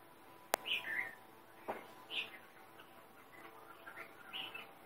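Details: Sri Lanka grey hornbill, a bird found mostly in the Southern Province, giving short harsh squealing notes in uneven bursts, some with a falling tail, plus a sharp click near the start over quiet background.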